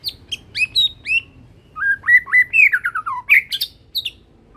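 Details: Young Medan white-rumped shama with a leg band, still in immature plumage, singing with a carrying voice: high piping notes, then a rising and falling run of liquid whistles and a bright chattering finish.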